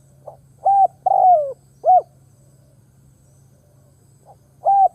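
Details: Captive decoy spotted dove calling to draw in wild birds: clipped mellow coo notes and one longer, drawn-out coo that slides downward, with gaps between phrases and a steady low background hum.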